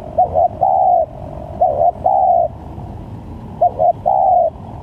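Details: Spotted dove lure call for trapping, with varied calls: three cooing phrases about two seconds apart, each two short hollow notes then a longer, steady coo, over low rumbling background noise.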